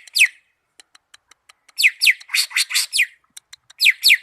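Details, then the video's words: Greater green leafbird (cucak ijo) from Malinau: sharp descending whistled sweeps and buzzy chirps in quick bursts, separated by short soft ticking notes, with a pair of loud falling slurs at the end. "Cucak ijo mania malinau vs raja kicau"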